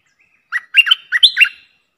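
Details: Streak-eared bulbul lure sound for bird trapping: a soft whistle followed by a quick, gurgling string of about six notes, clear against silence.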